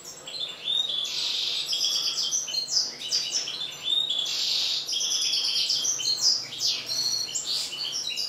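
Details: Caged European goldfinches of the major form, mutation birds, mating in an aviary: lively high twittering song with quick liquid trills, buzzy tinkling phrases and sharp chirps in a continuous flow.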